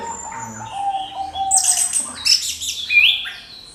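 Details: Orange-headed thrush lure song to provoke other birds. Soft, even low whistles open the phrase, then a loud eruption of high, crackling chirps and a bright upward whistle.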